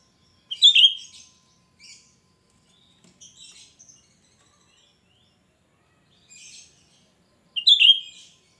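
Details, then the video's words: Cucak rante, described as gacor and suited for luring other cucak rante; loud shrill notes with a sharp downslurred peak open and close the clip, with softer chattering phrases in between and quiet gaps. "Cucak Rante gacor ‼️Suara melengking Cocok untuk Pancingan cucak Rante bahan"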